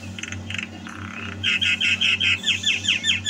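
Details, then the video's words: Javan myna singing actively, kept at home: a few soft buzzy notes, then a fast run of loud harsh chattering phrases repeated about every quarter second, over a steady low electrical hum. "Suara Burung Jalak KEBO Gacor"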